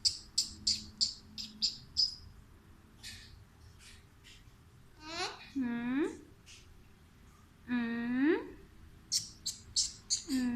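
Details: Pet Alexandrine parakeet (Indian ringneck) talking indoors: bursts of short high clicks and chirps, then two drawn-out hoarse speech-like syllables with rich nasal harmonics, followed by more quick high chirps.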